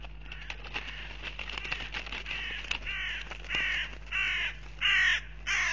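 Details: Hooded crows fighting in Riga, Latvia, on 10 April 2021 give harsh, grating caws, starting as a ragged overlapping clamor and building into louder drawn-out caws about every half second; a steady low hum underneath.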